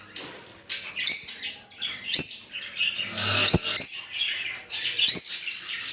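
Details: Rosy-faced and Fischer's lovebirds calling to encourage mating: continuous high, scratchy twittering broken by sharp clicks and brief squeaks.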